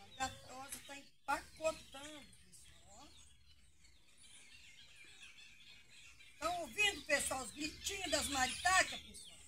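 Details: Maritaca parrots raiding pequi fruit on a small farm give harsh, grating screeches in two dense bursts, several birds calling over each other, with a man talking between them.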